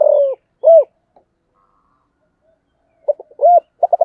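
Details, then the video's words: Spotted dove of sấm thổ voice giving gọi and thúc coos: a drawn-out low hoot and an arched note, a long quiet gap, then stuttering short notes, another arched hoot and rapid pulses. "Sấm thổ gáy gọi và thúc"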